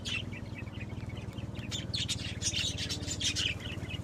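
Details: Several pet budgerigars chattering in a run of quick high chirps and short warbled notes, about seventy per minute, over a steady low mechanical hum.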